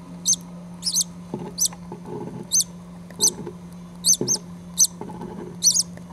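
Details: Five-day-old green-cheeked conure chicks, four in the nest while the mother still sits on one unhatched egg; thin, very high squeaky peeps in short bursts, about a dozen in six seconds, over a steady low hum and soft thumps.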